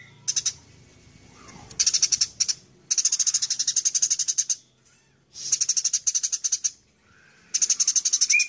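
House sparrow chattering in rapid bursts of high, dry chirps, each run lasting one to two seconds with short pauses between.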